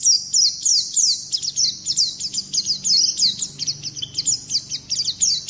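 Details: White-eye (pleci) twittering, used to rouse other birds and to train their song: rapid high chirps, about three notes a second, slurring downward in an energetic continuous run.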